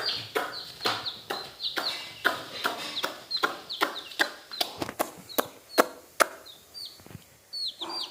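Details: Coloured baby chicks in a village: a rapid, irregular stream of high, thin peeps, each sliding downward, about two to three per second, with sharp clicks and scuffing between calls.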